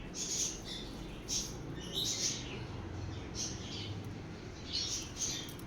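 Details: Sun conure parrots playing together give short, shrill, high chirping calls in bursts roughly every second, over a low background rumble, with people talking nearby.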